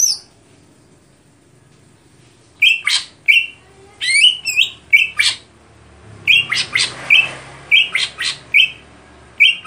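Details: After a quiet opening, a greater green leafbird bursts into stelan song: many short buzzy chips mixed with clear whistled notes, delivered in quick irregular clusters.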